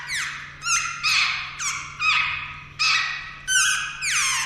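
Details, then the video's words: Young jungle babblers on the verge of fledging give separate harsh, descending squeaky calls, each starting high and sliding down, spaced roughly half a second apart; a low hum runs throughout. "जंगल बेबलर के बच्‍चे आज उड़ान भर लेगें"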